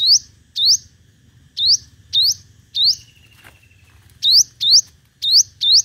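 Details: Five-colour sunbird in competitive song, used as a decoy call. Short, high, rising whistled notes come in pairs and singles with irregular gaps. A thin high whine is heard midway, and a soft low rumble runs throughout.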